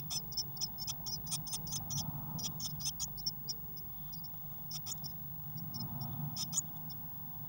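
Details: Crowded nest box on 22 May 2019 holding six Eurasian blue tit chicks. Rapid strings of high, thin, squeaky chips come in bursts, pause near the middle, then resume, with a steady low hum beneath.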